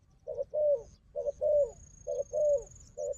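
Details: Wild dove in a fight with a decoy dove: three clear coo phrases, each a short hollow note then a longer note bending downward, with a faint high thin whistle.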